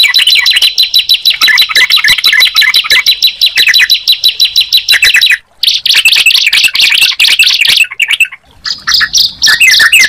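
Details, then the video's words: Sunda pied chat with yellow-vented bulbul: long, dense chattering chirps over a high buzzy band, interrupted by two short silent gaps, ending with fast trilled notes. "Suara Ciblek Dan Trucukan Jika Dipertemukan"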